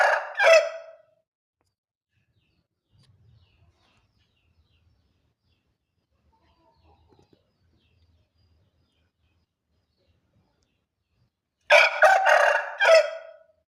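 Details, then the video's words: Short crowing from a Bangkok rooster: a loud, rough, pulsing burst of about a second opens the recording, followed by long near-silence with faint low rustles, then a second harsh, stuttering burst near the end. "Suara Ayam jago Bangkok berkokok pendek"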